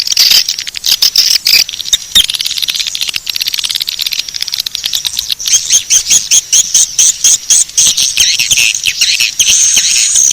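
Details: Swiftlets' lure call, Bangkit 18 style: busy stream of high chittering clicks and squeaky chirps, joined after five seconds by a thin, sustained whistled twitter above them.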